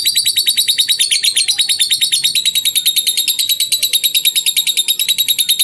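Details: Lovebird ngetik song, the rapid typing style used as masteran training audio: a fast, steady run of high clicking chirps, roughly three per second, continuing without a break.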